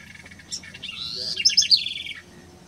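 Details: House wren (Troglodytes aedon) singing: a single bubbly, rapid song of about one and a half seconds, with jumbled high chirps climbing into fast warbling trills before it ends abruptly.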